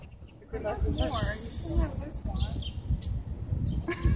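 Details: A goose confronting a groundhog gives a harsh, breathy hiss, with a human voice talking over it.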